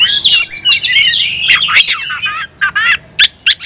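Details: Rapid, tumbling oriental magpie-robin fighting song that incites other magpie-robins: a rich warbled stream of whistles at the start, giving way to short harsh bursts spaced by gaps.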